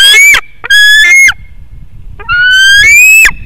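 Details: White-tailed eagle at a nest webcam in Latvia gives three loud, harsh, rising yelps about a second apart at 7:36pm on 27 August 2018, with knocks and thumps as the bird demolishes the microphone.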